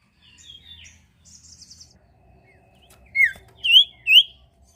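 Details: Sirtu bird song used to prompt other birds to sing: faint high buzzy warbles early, then three loud sharp chirps, each sweeping downward, in quick succession near the end.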